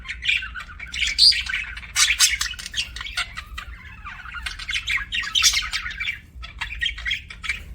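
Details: Chirping budgerigar keeps up a busy, twittering babble of squeaks, rasps and short whistles, rising into louder scratchy bursts near the middle and dipping briefly before resuming.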